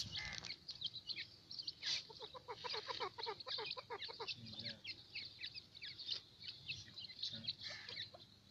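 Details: Grey francolin family group calling: rapid bursts of short, high chirping notes and soft clucks, some in quick runs of a dozen or so, heard fairly faintly over a quiet background.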